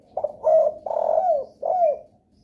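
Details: Spotted dove lure call said to make other doves respond, one clear phrase of four low coos, the drawn-out third note falling away at the end.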